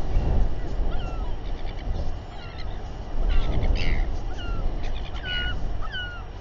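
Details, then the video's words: Royal albatrosses gathering and fighting near a nest with a chick in New Zealand, 7:42 pm, 27 January 2021. Short, falling, whistled whinnying notes repeat about every half second, with brief buzzy bursts, under steady wind noise. "Royal Albatross~Stressful Albatross Party and fight"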